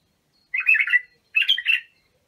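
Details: White-eared (Iraqi) bulbul singing the Abu Shuaib style of song, used for training young bulbuls: two bubbly, warbled phrases of fluty notes, each about half a second long, with a short pause between them, in a quiet setting.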